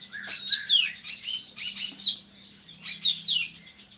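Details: Drongo, a bird kept to tutor other songbirds: loud, scratchy, high chirping phrases mixed with slurred whistles in two bursts, separated by a short quiet gap.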